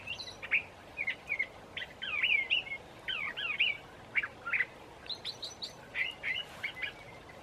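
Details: Evening song of a curve-billed thrasher in Santa Fe, New Mexico, in March: a long stream of varied, rapid warbling phrases with sharp slurred notes and chattering bursts, delivered almost without pause.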